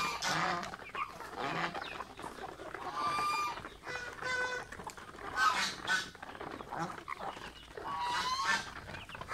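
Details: Nasal honks from pet geese at a mango meal come in spaced groups, some harsh and some with a squeaky upward slur, separated by short pauses.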